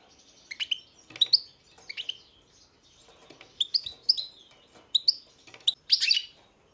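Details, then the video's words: Goldfinch uttering separate short, liquid chirps and slurred twitter notes in small clusters spaced about a second apart, ending in a denser burst. "Pesma štiglića, češljugara"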